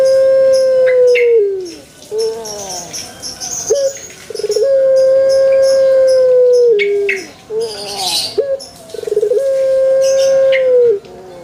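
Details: Series of Pelung chicken crows, several drawn-out level notes that curve down at the finish, interspersed with harsh stuttering sounds and bursts of high chirping.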